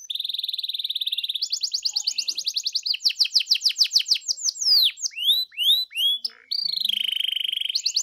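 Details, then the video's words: Canary song played to trigger a canary's singing: a steady high rattling trill, then quick repeated chirps, loud descending whistled slurs and a final buzzy trill. "PANCING DENGAN INI KENARIMU LANGSUNG NYAUT GACOR"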